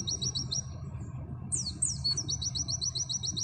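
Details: Oriental white-eye in 'nembak' style, used as masteran material: rapid high repeated chirps, then a cluster of steep descending whistles and a fresh fast run of notes over a steady low background hum.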